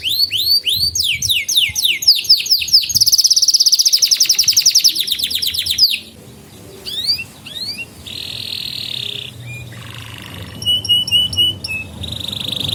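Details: Canary song used to train juvenile canaries and coax quiet birds to sing. Quick swept notes give way to a long buzzy rolling trill, then a pause, scattered whistles, a low buzz and sharp high chips.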